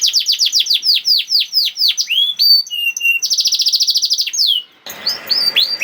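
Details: Singing canary in 'nembak' style, a lure to get other canaries singing: fast falling whistles, a long rapid rolling trill, a short gap and a rattling buzzy ending.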